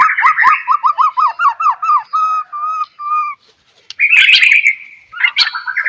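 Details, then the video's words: White-rumped shama singing as a lure to get other shamas to respond: a fast series of repeated downslurred whistles slowing into steady clear notes, then harsh rich scratchy phrases. "DENGAR KICAUAN MURAI GACOR INI"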